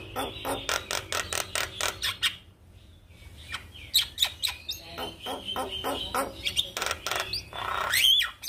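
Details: A black-winged starling sings in the morning, meant to spur a quiet bird: rapid repeated harsh chatter, a brief silent gap, then mixed chips, squeaks and a closing buzzy phrase.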